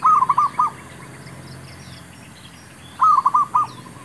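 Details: Male zebra dove calling, used to lure wild birds during trapping; two bursts of soft, stuttering cooing notes, each of about four quick pulses, about three seconds apart, with faint high chirps of other birds behind.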